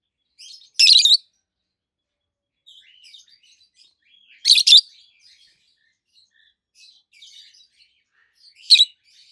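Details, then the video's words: Pair of green adult peach-faced lovebirds, one with a red face and one with a yellowish white face, giving loud harsh shrieking chirps about every four seconds, with quiet chattering twitters between them. "Lovebirds Sounds - Peach-faced Lovebird: Two Green, Red-Face and White-Face"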